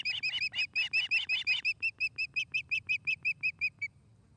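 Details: At a nest in Charlo, Montana, on the afternoon of 29 August 2018, an osprey calls a rapid run of about twenty sharp, whistled chirps, nearly three a second, ending abruptly, over a faint low rumble.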